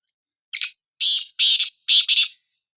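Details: Black francolin, one of two birds set to compete in calling: a brief scratchy opening note followed by four grating, buzzy notes grouped as two pairs, loud and clear with nothing else audible.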